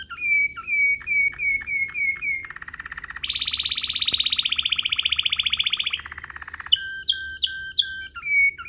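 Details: Waterslager canary producing luxurious rolling song as a canary tutor: dipping whistled notes repeated quickly, a low roll, then a loud, high, buzzy continuous trill, before clipped whistled pulses return.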